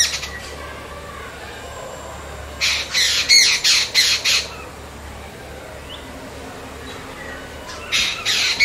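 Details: Jungle babbler babbling: a burst of about six harsh, raspy squawks in quick succession, then a quiet stretch and a few more squawks at the end.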